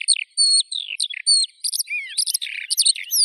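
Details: Short burst of Eurasian skylark song: held high whistles, quick slurs, and a burry, buzzier phrase of fluttering notes.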